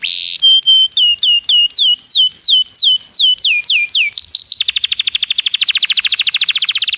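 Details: Canary singing, meant to set off other canaries: a string of ringing downslurred whistles, then a long, rapid, rattling trill that fills the last few seconds.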